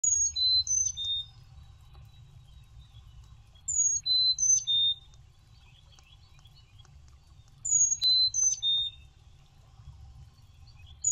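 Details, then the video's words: Male chickadee sings to his mate at a nest box around 5:45 AM on 20 April 2023 as she lays her first egg: pure, high whistled phrases of about four notes, alternating pitches, every four seconds over a faint hum. "Chickadee Lays FIRST EGG - Male Sings"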